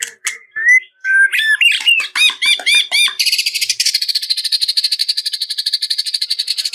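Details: White-rumped shama song used to provoke a rival: mixed whistles and clipped arching notes, then a long, steady, fast buzzing rattle repeated about twice per second for several seconds.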